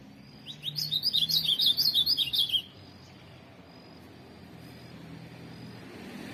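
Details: Ultramarine grosbeak, a tournament singer, pours out a brisk two-second phrase of sweet, choppy whistles, then silence with a low rumbling hum behind.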